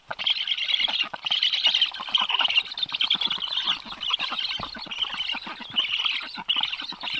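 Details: Black stork chicks twittering at a nest in Karula National Park, southern Estonia, on the morning of 11 July 2023, with a strange stork nearby: a dense, continuous, buzzy chatter of rapid rasping notes rising and falling in short surges.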